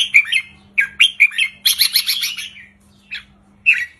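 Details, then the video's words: Red-whiskered bulbul in an easy counting-style 3-4-5 song, played to get caged birds singing. Loud bright chirps lead into a fast harsh buzzy run, followed by two separate short warbles, over a constant faint hum. "นกกรงหัวจุกริกมันส์ เพลงสั้นๆ ร้องง่ายๆ สไตล์นับดอก 3-4-5 เปิดยั้วนกฟังนกคึก"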